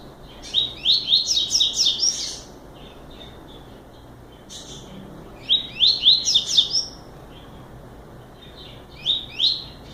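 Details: Three bursts of short song by a double-collared seedeater, each a hurried run of high, sharp, rising notes with harsh overtones, interspersed with a few scattered single notes.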